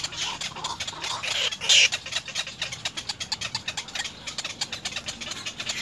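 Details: Little egret young in the nest beg their parents for food. One loud, rasping squawk comes early, then a steady run of quick, dry clicking pulses.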